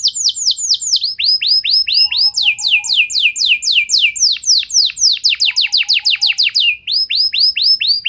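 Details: Canary singing as a lure for other canaries to sing at length: series of sharply descending whistled sweeps, several per second, grouped into tours of changing speed, with brief soft low notes between.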